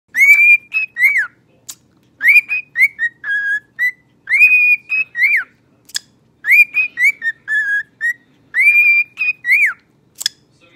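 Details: A pet male cockatiel rehearses Earth, Wind & Fire's "September", whistling clear, slightly buzzy phrases of rising and falling notes in short bursts about every two seconds.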